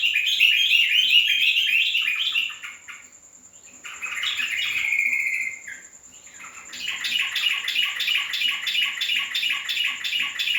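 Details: Yellow-vented bulbul singing: loud, rapid, bubbly chattering phrases, a pause, then a sliding whistled run, and a quick series of repeated clipped notes. A steady high insect drone runs throughout.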